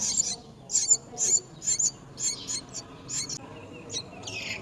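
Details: Mynas tending young at a nest, giving sharp high-pitched squeaks and chirps in short separated bursts, some doubled, spaced unevenly over a few seconds against a faint low hum.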